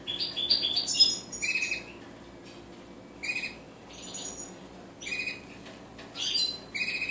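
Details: Goldfinch, called colourful hybrids, singing: loud rapid liquid twitters and tinkling, buzzy high phrases in clusters, the busiest burst at the start, then shorter phrases about every second, against a faint low background hum.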